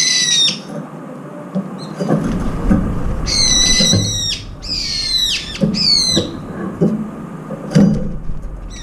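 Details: Several brown-eared bulbuls, including one with an injured left foot, compete for food and give loud, harsh, screechy calls in several quick downward-slurring bursts over a low rumble of wind or background noise.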